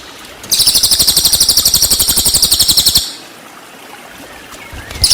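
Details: Cililin song used to train white-rumped shama: one sustained high-pitched trill of quick repeated chirps, about two and a half seconds long, then near silence and the start of another burst.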